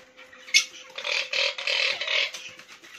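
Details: Talking hill myna uttering a sharp click, then three hoarse buzzy syllables in a row like mimicked speech, followed by a person's Hindi words.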